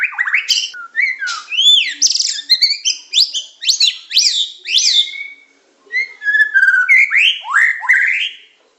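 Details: White-rumped shama, Medan type, in tutor song of pancingan, macet, tembakan and isian styles. Loud whistled phrases rise and fall in quick bursts with a brief pause in the middle, then resume with upward-sweeping notes.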